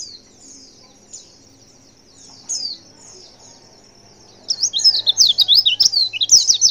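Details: Female white-eye call used to make males respond: thin, high-pitched chirps and squeaky notes, scattered and sparse in the first four seconds, then a burst of rapid, tumbling twittering in the last two seconds.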